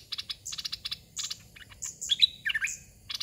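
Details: Caged decoy red-whiskered bulbul used to lure wild birds, giving a short chirpy whistled phrase late on, after runs of fast broadband clicking bursts.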